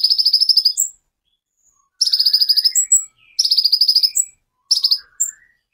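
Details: Sunbird, locally called kolibri ninja, in full 'tembakan' singing used to tutor other cage songbirds: four bursts of fast rattling high notes, each ending in sharp chips, with faint lower buzzy slurs between.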